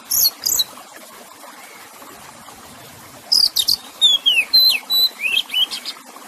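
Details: Kacer, or Oriental magpie-robin, in a one-hour mix with splashing water: two brief high buzzy notes, a long quiet pause, then a rapid run of buzzes and clean whistles, some dropping in pitch, some steady.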